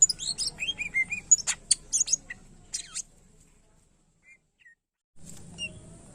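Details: Cucak ijo, the greater green leafbird, singing energetically as a training recording for other birds: a dense run of bright chirps and falling whistles for three seconds, then near silence with two faint notes.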